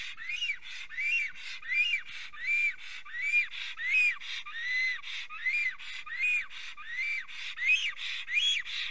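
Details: Pair of Estonian black storks singing together on arrival at their nest, 25 June 2020, 3:03 pm: a steady series of wheezy, whistled, arched notes, about 80 per minute, each rising then falling, with breathy hiss between.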